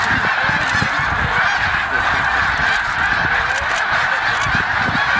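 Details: Snow geese massed during migration at Middle Creek, Pennsylvania, give a ceaseless, crowded chorus of high honks, with some low wind rumble beneath.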